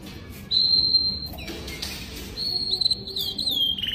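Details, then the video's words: Young canary giving clear high whistled notes, a long steady tone followed by wavering whistles and a falling slur, over faint background hiss. "Chant canari jeune magnifique تغريدالكناري أصفر روعة Lagu kenari muda yang indah.canción canaria"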